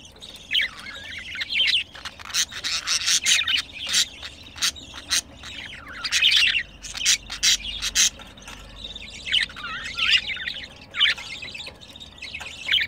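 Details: Budgerigars, a male and a heavier female in heat, while mating: long bouts of busy chirping warble with rapid ticking clicks and short pauses between phrases.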